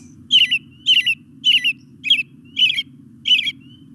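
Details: Male American Robin with a dark head delivering six clear, caroling whistled phrases about every half second, each a quick up-and-down warble, over a constant low hum.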